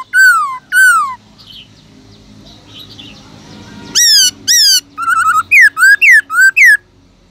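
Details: Black-throated laughingthrush, a caged bird, sings a wild-voice song used to spur other laughingthrushes into singing: a pair of slurred descending whistles, a pause with faint background chatter, then loud upslurs and a quick series of looping notes.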